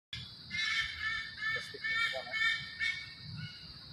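Rufous hornbill giving loud, harsh, honking calls, four or five bursts in quick irregular succession, over a steady background hiss.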